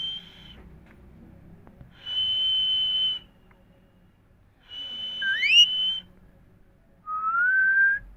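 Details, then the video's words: Indian parrots talking: steady high whistled notes about a second long, a quick rising harmonic call, then a lower, gently rising whistle, separated by short quiet gaps. "Indian parrots talking Mithu Miya Mithu parrots sounds"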